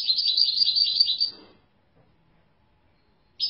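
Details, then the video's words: European goldfinch singing a rapid, high-pitched twittering phrase of liquid chirps for over a second, then a long silence before a brief final burst of twitters. "افضل صوت بلبل حسون"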